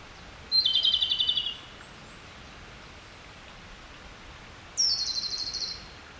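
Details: Japanese robin singing, described as subsong: two high phrases, each opening with a sharp high note and dropping into a rapid, even rattling trill lasting about one second, separated by a few seconds of quiet with a faint steady background hiss.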